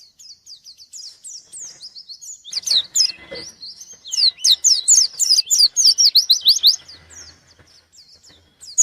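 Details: Challenging a rival, a white-eye gives soft high twitters that build into a loud, dense stream of rapid falling chirps, several per second, then fade back to quiet warbling.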